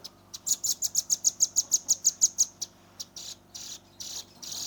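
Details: Young velvet-fronted nuthatch in energetic 'nembak rapat' rapid-fire song, recorded on a Redmi 10 phone: a fast burst of about twelve sharp, high, evenly spaced notes, then several louder hissy chirps at roughly half-second intervals.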